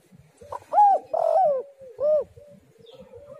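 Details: A spotted dove, recorded to entice other doves to call, gives an arched coo, a long rough descending coo, then a separate rounded coo, ending in a soft low hum.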